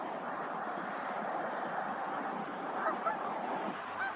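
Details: Canada Geese at Woods Edge Park give steady, crowded honking, many voices blurring into a continuous harsh chorus, with a few clearer calls near the end.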